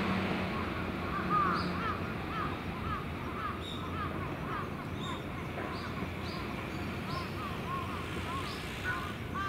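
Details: Many crows, young and adults together, gathering at dusk to roost at Venus Terrace. Overlapping rasping caws follow one another almost continuously, roughly one per second, against a constant low background hum.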